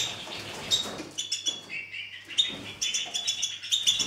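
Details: White-winged (two-barred) crossbill song: a quick run of high, thin chirps and dry twittering notes in irregular bursts, with soft rustling between phrases.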